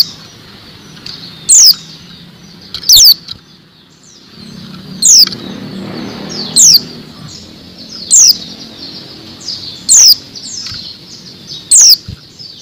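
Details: A female Oriental white-eye gives thin, high, down-slurred notes, one every second or two. The call is used to lure males and get them singing.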